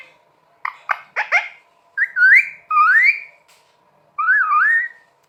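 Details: Pet green parrot indoors: a few quick clicks and chirps, then three long, warbling whistled phrases that slide up and down in pitch.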